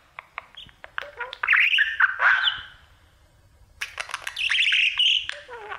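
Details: Singing to his mirror, a male budgerigar gives scattered clicks building into squeaky, whistled chatter, a quiet gap, then another burst of warbling, over a faint low hum.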